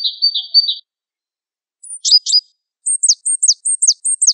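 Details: Java sparrow of the Wingko variety on a tutor recording, singing high, tinkling notes: a brief buzzy run, two clucks, then a quick string of repeated bell-like downslurred chips.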